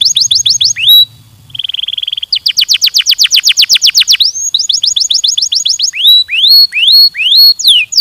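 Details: To stimulate singing, a canary delivers quick repeated notes, a brief buzzy tour, then a dense rapid trill of sweeping notes. Even level notes follow, then spaced rising whistles. A low hum is heard at the start.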